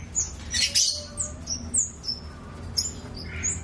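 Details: Scarlet-backed flowerpecker singing: a lively series of very high, thin, sharp chips and short down-slurred whistles, given in quick irregular succession with a few buzzier bursts, over a low steady background hum.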